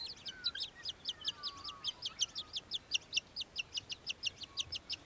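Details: Australian hobby, also called little falcon, recorded in Victoria, Australia, in December 2023; a fast run of sharp, high chattering notes, about four to five a second, steady throughout, with faint other bird sounds in the background.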